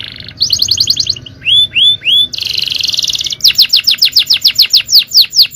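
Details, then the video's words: Full-power cengkok song of a male canary: a buzzy roll, a quick trill, two rising whistles, a dense buzzy trill, then a regular series of sharp falling whistled notes. "Aksi Kenari||Cengkok Jawara||Full Power Canary Action||Cengkok Champion"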